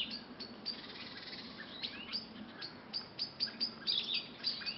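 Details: Garden birds singing in a back garden at lunchtime: a busy mix of short high chirps and quick sweeping notes, several birds calling over one another, with faint low background hum.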